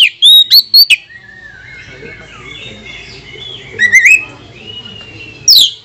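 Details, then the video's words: Oriental magpie-robin (kacer) song meant to provoke rival birds: a quick cluster of whistled notes opens, then a soft wavering whistle and a brief rising warble, ending in one sharp downslurred note. "Kacer mana yang tak mau Konslet dengar pancingan suara kacer ini | kacer gacor"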